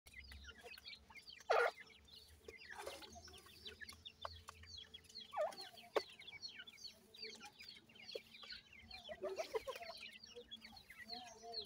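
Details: Captive francolin (partridge, teetar) chicks being fed alongside Iranian pheasant chicks: many thin, high, downslurred peeps overlap continuously, with scattered sharp clicks and taps.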